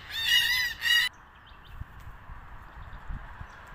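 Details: A Red-tailed Black Cockatoo, with birds feeding on Casuarina nuts, gives two loud, harsh, rolling calls in quick succession, then falls silent over a faint low background rumble.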